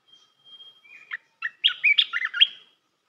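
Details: Red-whiskered bulbul song for teaching young birds: a thin steady whistle, a few soft notes, then a loud run of liquid, warbling chirps rising and falling.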